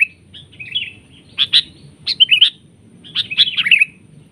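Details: During a trapping session, a sooty-headed bulbul grapples with a decoy bird. Soft slurred whistles lead into loud clusters of bubbly chirping notes, in three groups.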